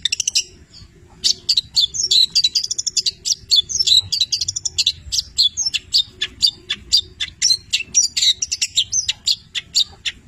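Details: Long-tailed shrike, 'petir' type, singing a rich tutor song of imitated labet and canary phrases: long, dense high twittering and rapid chipping notes, rising and falling in bursts.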